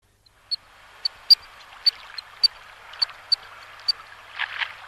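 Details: Eurasian coot giving sharp, high, clicking 'pik' notes about twice a second, irregularly spaced, over a steady hiss of water or distant engine noise.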